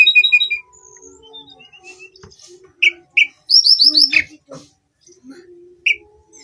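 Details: Tledekan gunung, the hill blue flycatcher, sings a few quick high notes, then scattered loud chips and a burst of rapid descending whistles, with thin faint tones in the gaps.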